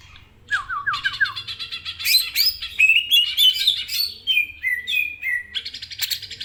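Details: Greater green leafbird in full song: a few falling looped whistles, then dense rapid chattering and buzzy trills mixed with sharp whistled phrases, varied and continuous, over a faint low hum.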